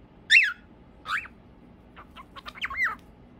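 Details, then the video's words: Cockatiels calling cheerfully: a few loud, slurred whistles that rise and fall, followed by faint clicks and a final downward-bending whistled note. "Calopsitas cantando muito feliz"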